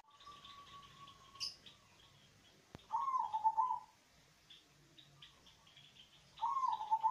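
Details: Zebra dove of a local strain with a deep voice, sung to prompt reluctant doves to join in: a faint steady whistle, a sharp click, then two throbbing cooing phrases roughly three and a half seconds apart over soft background chirping.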